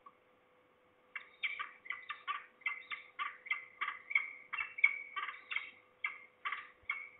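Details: At least two falcons calling at Trzebież, Poland, on 2 September 2019 around 15:11, the nearer bird below; after a second of quiet, a fast series of harsh, nasal, scratchy notes repeats roughly twice per second.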